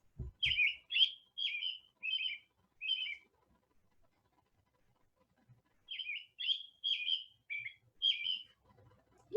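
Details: American robin, a bird heard singing in backyard trees, caroling: two runs of about five short, clear whistled phrases, roughly two per second, separated by a brief pause. A couple of soft thumps open the recording.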